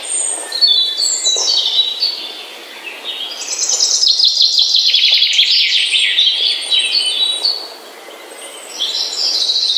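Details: Morning birdsong: several birds sing at once in a dense chorus of high chirps, fast twittering trills and whistled phrases that overlap continuously against a soft background hiss.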